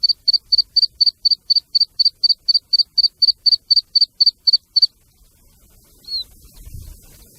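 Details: Black francolin, a female with chicks calling, recorded for hunting: a steady run of high, thin peeps, about four a second for nearly five seconds, then quiet with one faint slurred note and low rumble.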